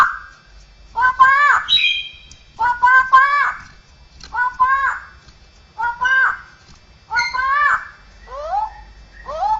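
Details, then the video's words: Straw-headed bulbul, cucakrowo, imitating other birds, cats and humans: rasping, voice-like stacked notes in short groups, repeated roughly every one and a half seconds, ending in falling whistles. "suara burung cucakrowo isian dengan suara suara aneh bisa suara burung jenis lain, kucing, manusia"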